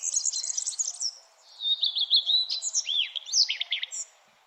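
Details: Birds chirping at sunrise in the early morning: rapid high trills and twittering notes, then sliding whistled phrases and quick repeated chirps, steady faint background hiss.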